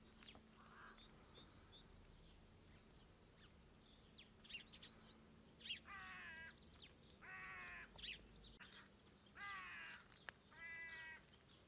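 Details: Flock of rooks feeding in numbers on a ploughed field, looking for worms, grain and seeds; hoarse, rasping caws given singly and in short runs, some distant, over steady low hum and field ambience.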